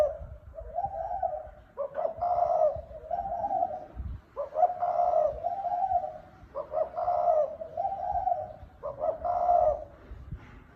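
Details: Spotted dove (cu gáy) cooing in the thúc bổi style: low hooting phrases, each a soft lead-in then a stuttered, stronger coo, repeated about every two and a half seconds, four phrases in all.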